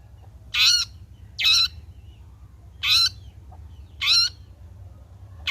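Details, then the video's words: Long-tailed shrike singing after its moult, a lure recording to encourage singing: loud, harsh, squawking notes with a nasal edge, each about a quarter second long, repeated roughly every second and a half over quiet background. "Burung Cendet Gacor Selepas trotol PANCINGAN CENDET AGAR BUNYI"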